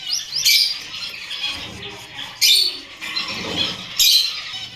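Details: Gouldian finch kept at home, calling in three loud bright bursts of high chirps with thin upward flicks, separated by quieter chattering gaps.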